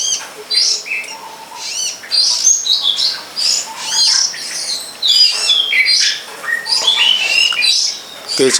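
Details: Varied, chattering song of a wild long-tailed shrike: rapid high chirps, upslurred and downslurred whistles and harsher squawky notes run together in long phrases, with a few lower soft notes.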